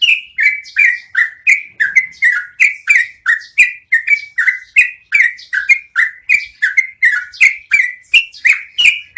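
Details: Continuous rolling yellow-vented bulbul song for training cage birds, with bright, bubbling, downward-slurred notes repeated almost three times a second and slight shifts in pitch from note to note, with no other sounds.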